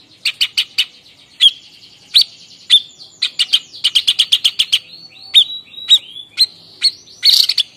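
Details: Harsh 'nembak' singing of a White-breasted babbler, Stachyris grammiceps, a Javan endemic. Groups of fast, rasping chip notes alternate with sharp, downslurred whistles, repeated in varied bursts through the phrase.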